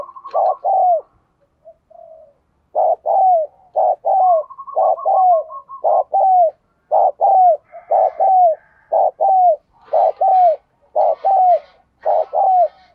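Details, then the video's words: Captive lure spotted dove calling steadily, with deep mellow coo phrases repeated roughly once a second. Each ends in a drooping note, with a brief rapid pulsed run partway through and faint higher chirps near the end. "tiếng cu gáy - Chim Cu Mồi Thúc Gù Và Gáy Gọi"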